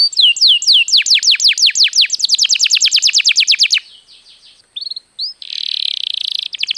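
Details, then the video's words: Canary singing as a lure to get other birds singing: fast high trill of steeply descending notes, a brief soft pause, a few isolated chirps, then a buzzy rattling phrase. "suara burung kenari untuk pancingan agar gacor"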